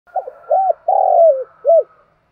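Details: Spotted dove, a decoy bird, calling its flock in the morning: one mellow, low cooing phrase of four hollow notes, a short double note, a rounded coo, a longer drawn-out coo falling at its end, then a final short coo; a quiet background.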